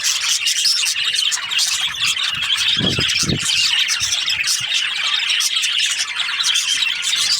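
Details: Breeding pairs of budgerigars chattering as a group, a constant wash of high chirps, squeaks and warbled twitters, with two short low thumps near the middle.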